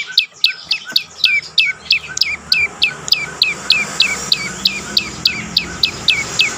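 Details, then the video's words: Prenjak lumut prinia song, used as a lure to get other birds to sing: fast series of sharp chirps, each sweeping steeply down, about three per second, with a faint low hum beneath. "prenjak lumut lain makin tergoda berbunyi"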